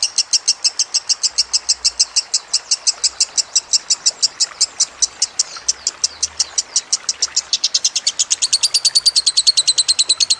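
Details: Lovebird song from a training recording mixed with trickling water: a long, fast run of sharp, high chirps repeated about three times per second. The chirps shift slightly higher and denser near the end.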